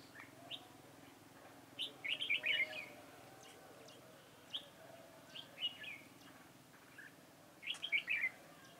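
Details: Red-whiskered bulbul used as a decoy bird for trapping, recorded 4 February 2018: short, bright whistled warbling phrases near 2 and 8 seconds, with scattered single sharp notes between them over a quiet, steady background.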